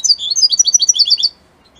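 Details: Brief, quick burst of high twittering from an Italian-type European goldfinch, about a dozen bright chirping notes in just over a second, then silence.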